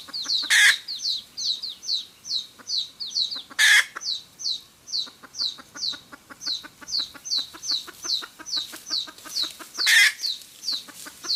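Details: Wild red junglefowl hen cackling as a trapping lure, a fast run of repeated clucks with high slurred overtones; three loud sharp bursts of another bird's call cut through at intervals.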